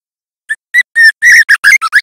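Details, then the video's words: Young White-rumped Shama practising song, loud clear lure recording: spaced whistles leading to a long steady note, then a tumbling string of slurred, varied whistled notes. "Suara Murai trotol JAHAT belajar bunyi gacor PLONG"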